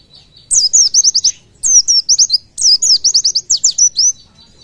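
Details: Oriental white-eye delivering 'tembakan' song for teaching other birds: three bursts of rapid, high-pitched, down-slurred whistled notes, each burst a quick rattling string of repeated elements with brief pauses between, over a faint low hum.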